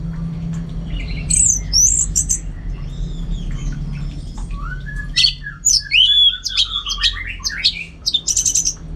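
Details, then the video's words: Orange-headed thrush (Geokichla citrina), a pet bird kept in North Bali, singing two bursts of rich, varied phrases: high whistles, quick trills and squeaky notes tumbling together, over a steady low hum. "Super Kicauan ANIS MERAH Gacor"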